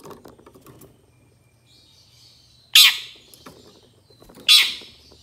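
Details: Long-tailed shrike in a 2023 master recording made for training songbirds: two loud, harsh, rasping bursts about 1.7 seconds apart, with faint scratchy twittering and a thin buzzy note between them over a low background hum.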